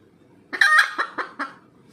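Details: Red junglefowl after laying an egg gives a short burst: one loud drawn-out squawk followed by three descending clucks, then quiet.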